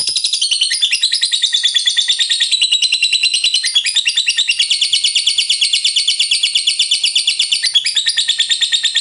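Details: Lovebird in long 'ngekek panjang' chatter, the kind used to provoke other lovebirds into singing, from a fighter-type bird: a continuous, rapid, shrill stream of high chirps and trills lasting the whole nine seconds without a break.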